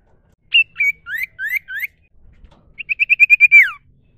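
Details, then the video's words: A Common iora gives a natural wild song: four or five clear, rising whistled notes, a short pause, then a quick run of about nine sweet whistles ending in a falling slur. "dengar Burung sirtu cipoh suara alami"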